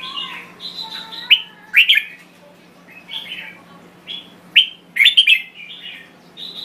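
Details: Thai red-whiskered bulbul singing short bright whistled phrases, some rising and some falling, delivered in bursts with brief pauses between, over a faint steady low hum.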